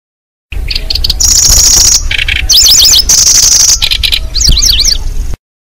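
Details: Lanceolated Warbler sound played to lure birds. High even insect-like reeling, short buzzy chattering bursts and quick rising-falling whistled zigzags follow one another for about five seconds over a low hum.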